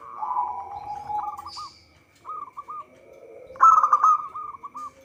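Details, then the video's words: Local zebra dove in full song, kept as a lure for trapping: a low purring coo opens, followed by separate clusters of rapid clipped notes and finally a louder bubbling, rolling phrase. A faint constant tone is audible throughout. "Perkutut lokal gacor suara cocok untuk pancingan."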